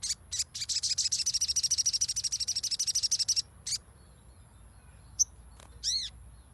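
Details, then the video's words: Crimson sunbird lure sound to make a silent bird sing: a long, fast, steady trill of very high buzzy pulses lasting over three seconds, then a sharp chirp and one arched ringing note. "PANCINGAN SOGON MACET AGAR BUNYI"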